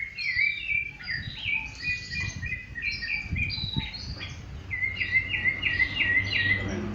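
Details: Rufous-bellied thrush singing in nature: bright whistled phrases, some warbled, ending in a run of repeated sharp notes. Other chirps are mixed in over low rustling background noise.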